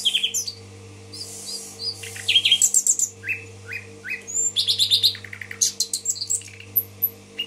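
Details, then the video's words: Bulbul, the common nightingale, in Tashkent delivers rapid song bursts: fast stuttering repeated notes, buzzy high trills and rising chirps in quick succession, punctuated by short silences, against a faint steady hum. "соловей гафиза булбул ташкент"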